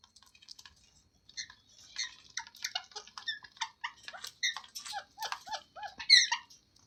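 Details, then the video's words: A parrot, shown as talking, chatters in a quick run of short clipped notes and chirps, uneven in pitch, building into a louder rasping squawk near the end. "Parrot Talking Sounds Videos | Parrot Voice |Parrot Ki Awaaz"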